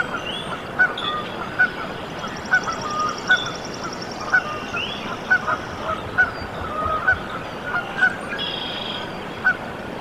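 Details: Newly hatched Canada goose goslings in their nest, Decorah, Iowa, USA, on 14 April 2024, give a busy series of brief clipped peeps, some in quick pairs, against constant background noise and thin higher twittering.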